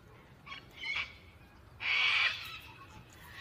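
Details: Gang-gang cockatoo: a faint raspy note, then a louder drawn-out creaky screech lasting about half a second, over a steady low background hum.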